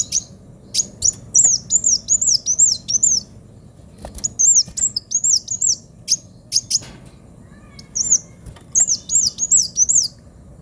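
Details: Sunbird known as kolibri wulung singing energetically with a sharp tone: repeated phrases of high, thin, arched whistles delivered rapidly, separated by brief gaps and soft clicks, in a quiet setting.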